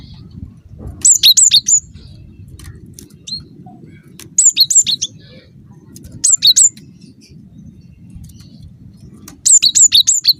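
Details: Cinereous tit (gelatik batu) in full voice, a lure to make other tits answer; four short bursts of rapid, ringing two-note chirps spaced a few seconds apart, with low hum underneath.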